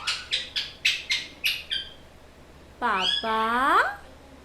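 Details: Talking pet parrot gives seven quick, evenly spaced sharp calls, then a longer voice-like phrase with many harmonics that bends downward and back up, over a steady low hum.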